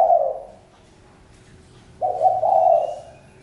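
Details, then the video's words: A spotted dove's deep coo fades out at the start, then after a short pause a new phrase begins with a stepped lead-in and swells into a long, steady, throaty coo. "Chim cu gáy-Đam mê tiếng chim cu"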